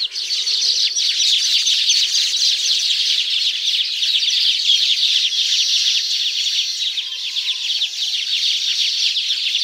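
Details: Continuous busy chorus of high twittering and buzzy chips from Baya weavers at a tropical nesting site, dense and unbroken throughout, with one faint lower whistle late on.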